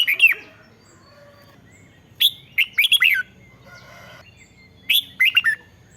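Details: Red-whiskered bulbul, caged, singing to excite caged birds: three phrases of rising and falling whistled notes, with a faint buzzy call between them.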